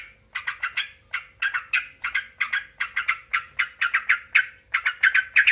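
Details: Sooty-headed bulbul song used as a lure to provoke other bulbuls into answering: bright, bubbly clusters of three or four quick notes, repeated roughly every half second to second, steady and loud throughout.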